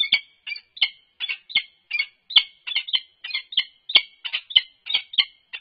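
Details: Resident female peregrine falcon and an unknown male on top of her nest box at UC Berkeley, 3 November 2021, on a live nest camera. Harsh, scratchy calls in quick, uneven bursts, several doubled, filling the whole stretch.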